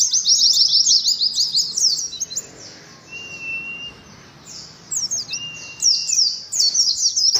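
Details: Oriental white-eyes kept in cages give hurried bursts of high, squeaky 'ngalas' chirping, pausing midway while two drawn-out lower whistles sound, then resuming with more rapid twitters.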